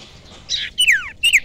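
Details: Young wild common iora, recorded as lure sound, utters a short buzzy note followed by two clear whistles that slide steeply downward.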